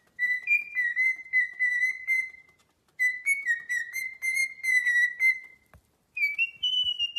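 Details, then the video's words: Parrot whistling a tune in clear, pure notes with a steady mid-high pitch. The notes come in two long wavering phrases split by short pauses, then a higher, rising note at the end. "PERROQUET QUI PARLE | CHANTE"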